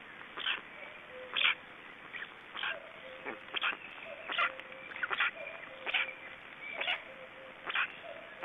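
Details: Black storks in Estonia, heard after swallowing a big fish, give rasping bursts about once a second with thin tonal notes between them, against a steady hiss.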